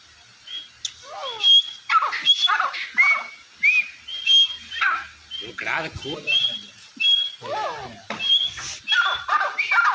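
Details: Deccani partridge giving a dense, irregular run of high whistled notes mixed with squeaky calls that slide downward, repeated steadily for ten seconds with short pauses.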